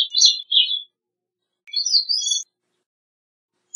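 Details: Two short song phrases from a Gray-cheeked thrush (Catharus minimus): a quick high warble falling in pitch, then after a second's pause a rising, reedy burst of thin notes.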